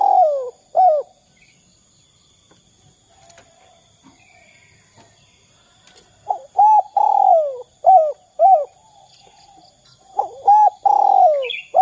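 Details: Spotted dove used as a calling lure for other doves: one short coo phrase, a long near-silent gap, then a dense series of arched coos with drawn-out falling notes, and a high chirp at the close.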